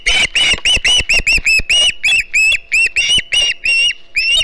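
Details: Begging juvenile Osprey at the Hog Island nest, live cam, 09 September 2019: slower, spaced, arched squealing whistles, each loud and separate, about two to three per second.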